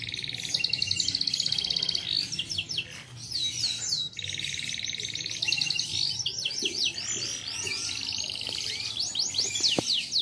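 A canary sings a long, unbroken song of fast rolling trills and bright sweeping notes, changing pace every second or two, with a faint hum behind.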